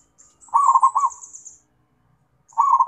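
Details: Zebra dove calling to companions: a burst of quick rattling cooing notes lasting about half a second, trailing into softer notes, then another burst begins; faint high thin tones run alongside.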